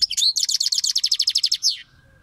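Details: European goldfinch song: a fast, bright trill of about sixteen evenly repeated high notes over one and a half seconds, opened by a couple of sweeping chirps and ending abruptly, then near silence.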